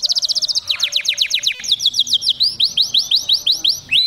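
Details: Agitated caged canary singing inside its cage, linked to mating: fast trills of repeated high notes, first rapid buzzy strokes, then a slower series of rising-falling whistled syllables about every quarter second, loud and continuous.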